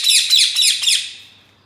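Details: Green ringneck parakeet in a cage giving a loud, rapid burst of about five harsh chattering notes that fade out.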